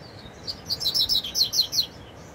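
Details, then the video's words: Double-collared seedeater, a fiber-type song bird, singing in the wild in scrubland: a quick run of high sweet chirped notes, rising in pace, over steady background hiss. "Coleiro fibra no mato"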